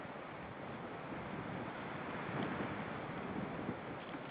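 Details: Steady broadband rushing noise like wind or surf, with no animal voice standing out.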